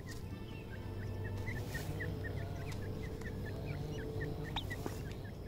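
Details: Feeding black francolin chicks peep continuously, with quick high chirps that curve up or down, many overlapping, plus a few sharper louder notes near the end above a persistent low hum.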